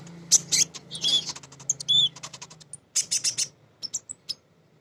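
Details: Female crimson sunbird calling to males: scratchy high chirps and buzzy notes in irregular clusters, then a quieter run of spaced thin tweets, over a low background hum.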